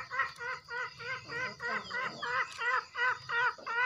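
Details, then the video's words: Javan green junglefowl giving a steady run of short, nasal, wavering clucks, about three each second, over faint hiss; a master call for treating newly wild-caught or quiet birds and for luring in forest. "Suara Gacor Masteran Harian Ayam Hutan Hijau"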